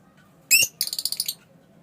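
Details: Fischer's lovebird chirping: one sharp, high harmonic squeak, then a quick run of about eight buzzy, rapid chirps lasting under a second.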